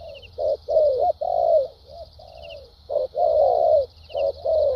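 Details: Caged decoy spotted dove cooing in the trained 'bài bản' style with 'lèo dặm' and 'thúc gù' phrasing: low hollow coos, some short and clipped, others long and sliding downward, in two bursts, over a faint steady high electronic hum.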